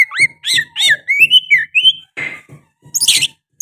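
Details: Oriental magpie-robin song carrying sooty-headed bulbul phrases: a fast series of bouncing, looping whistles, then a buzzy note and a harsh chatter, over faint low knocking.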